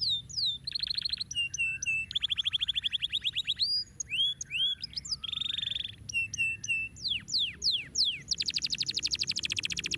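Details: Canary song used to get lazy birds singing: a varied sequence of whistled slurs, flat trills, buzzy rolled phrases and quick downswept notes, ending in a dense rattling trill.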